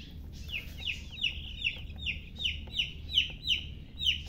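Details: Chicks of a hen giving a steady string of about eleven shrill, falling peeps, roughly three per second, against a low, constant hum.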